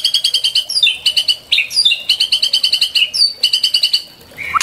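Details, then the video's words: White-rumped shama song for masteran training and pancingan luring: steady series of quick, evenly repeated high chirps with occasional sweeping whistled notes inserted, ending in a softer rising note. "MURAI BATU 100% MASTERAN DAN PANCINGAN"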